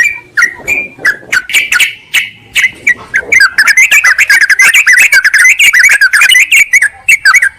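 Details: Sooty-headed bulbul lure call meant to draw a rival: spaced chirps at first, then a fast, dense, bubbling run of chattering notes that continues to the end.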